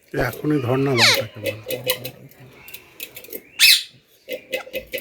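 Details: Talking parrot producing a low, voice-like phrase with speech-like syllables, then a sharp screech near the fourth second and scattered clicks, heard in a small indoor room.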